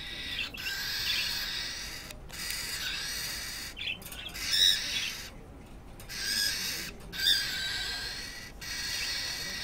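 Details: A cockatiel screams threats at a younger cockatiel that has come to its cage: harsh, raspy, hissing screeches in long bursts broken by brief pauses, with a few short higher chirps mixed in.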